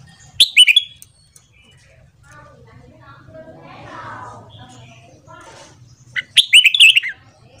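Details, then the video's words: Morning training song of a red-whiskered bulbul, meant to rouse freshly caught birds into singing: two quick, lilting whistled bursts about six seconds apart, with soft murmuring background noise between them. "Luyện Giọng Chào Mào Hót Sáng Kích Chào Mào Bổi"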